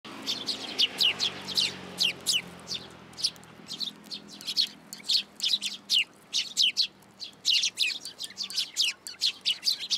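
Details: Sparrows flying to a plum tree at a Tenmangu shrine to be fed, 17 June 2022: many short, high chirps in quick irregular bursts from several birds, with a faint low hum beneath.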